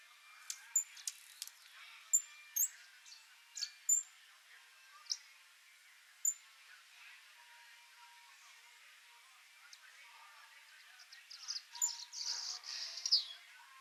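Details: A swallow-tailed hummingbird (Eupetomena macroura) tending its chick in the wild gives sharp, very high chips spaced a second or so apart, ending in a rapid burst of thin, buzzy twittering, with faint rustling behind.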